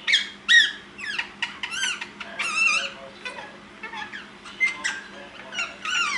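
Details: Caged ringneck parakeets chatting among themselves at nap time in a small room: rapid raspy squawks and warbling, bending notes in uneven bursts, some louder screechy peaks, continuing throughout.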